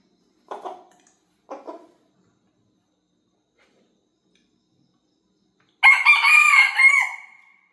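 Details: Australorp rooster (Gallus gallus domesticus) gives two short, low clucks, then after a pause a loud, hoarse crow held nearly two seconds before trailing off.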